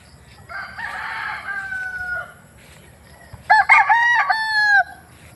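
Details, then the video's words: Two rooster crows, one softer and more distant, drawn out with a level tail, then a louder, closer crow with stuttered opening notes and a long sustained ending. "many rooster sounds"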